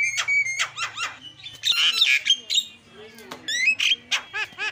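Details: Lure song of a starling singing actively, meant to provoke other birds into calling: harsh squawks and buzzy notes mixed with bent whistles and a few low hums, loud and uneven.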